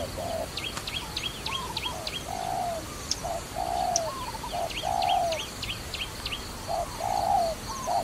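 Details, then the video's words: Trapping dove coos low and hollow, with drawn-out falling notes and short ones mixed. Sharp, high, flicking chirps from another small bird run above the cooing. "Wonderful Trapping Dove"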